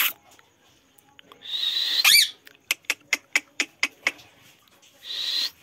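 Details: Indian ringneck parrot in talking training giving hoarse, rasping screeches and one sharp squawk, followed by a run of about eight crisp clicks and another rough screech.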